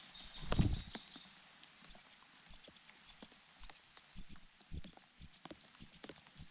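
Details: Cuckoo chick being fed by its foster father, which brought back an oversized bug; thin, very high hissing begging notes repeated in rapid series, about two per second, after a soft wing flutter at the start.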